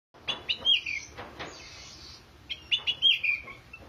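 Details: Oriental magpie-robin singing energetically: two bursts of bright, slurred whistled phrases with quick downward sweeps, separated by a short pause near the middle. The background is quiet.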